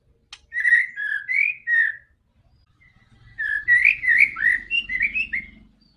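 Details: White-rumped shama song used to prompt a quiet bird to sing: two bursts of rich, fluty whistled phrases, slurred up and down, separated by a pause, with faint low hum beneath.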